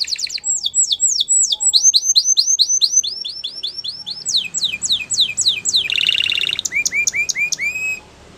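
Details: Singing canary delivering long runs of rapid, sharply swooping notes, a dense buzzy rattle in the middle, then a series of clear rising whistles.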